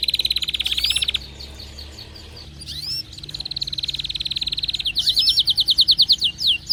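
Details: Canary singing excitedly: a high rapid trill, a short pause with faint notes, then a long rolling trill that breaks into loud, sharp, descending piping notes.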